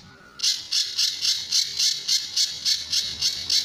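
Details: Sunda bush warbler tembakan and besetan song used to train other birds: a faint start, then a rhythmic series of loud harsh buzzes, about three and a half per second.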